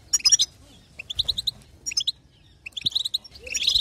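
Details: European goldfinch female chatter used to make the male sing: clipped high twittering notes in rapid clusters of four or five, separated by short pauses, in a quiet setting.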